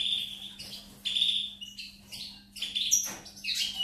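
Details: European goldfinch singing, recorded 4 May 2019: bright high twittering phrases in short bursts separated by brief pauses, with liquid trills and tinkling notes, over a faint steady low hum.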